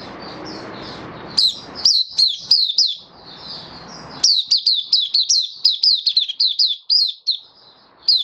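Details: Caged white-eye (mata puteh), recorded 18 May 2022 after a deworming course, delivering sharp, high, downslurred chirps in quick succession, with a short pause before a denser, faster run of notes.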